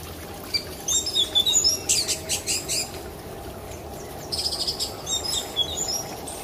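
Orange-headed thrush singing two bursts of quick, high, twittering phrases with thin whistles and trills, separated by a short pause, over a low steady background hiss.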